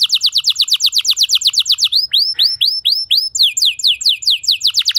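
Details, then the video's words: Canary song meant to train other canaries to sing: a rapid run of sharp repeated notes, several slow arching whistles, then a fresh burst of fast slurred notes. "Putar 10 Detik Saja Kenari Lain Bisa Ngeplong Anti Ngeriwik Gacor Nembak Panjang"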